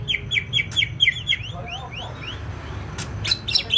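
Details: Greater green leafbird from Banyuwangi, East Java, in full song: a quick series of sharp, downslurred whistled notes, then looser slurred phrases and a burst of higher chirps, over a low background hum.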